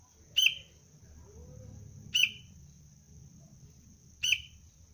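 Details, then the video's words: Three crisp, slightly down-slurred chirps from a young kutilang, or sooty-headed bulbul, of the cengkram strain in basic decoy training, spaced about two seconds apart. Low rumbling background and a steady high hum. "Anak kutilang pelatihan dasar untuk pikat Cengkram"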